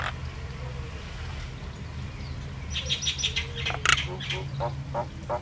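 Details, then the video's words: Common myna, also called Indian myna, singing: a quiet opening, then a burst of varied sharp chirps, clicks and high whistled notes through the second half, over a steady low hum throughout. "Common myna bird song Indian myna sound | mynah singing"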